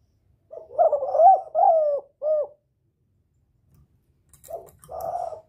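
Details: Spotted dove lure call for attracting a male and provoking a decoy bird: three linked coos rising then falling, a pause, then two softer coos with light clicking.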